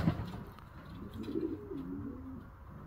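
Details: Racing pigeon, a homer, among young birds in training; low, soft cooing rises and falls in the middle of the clip over a quiet background with light indoor room sound.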